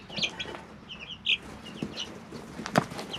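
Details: Chicks aged three weeks in a brooder give scattered high peeps, sparser than a full chorus, broken by thumps, scratching and one sharp clatter near the end.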